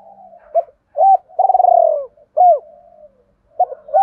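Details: Spotted dove giving its double lure coo, used to attract doves: soft murmuring lead-in, a short hoot, a drawn-out vibrating coo dropping in pitch, a crisp falling coo, then a new phrase starting.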